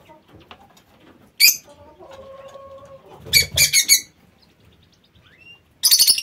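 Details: Aviary lovebirds calling: an isolated shrill squeak, a steady faint tone, then a cluster of three harsh high chirps and a final burst of rapid squeaks.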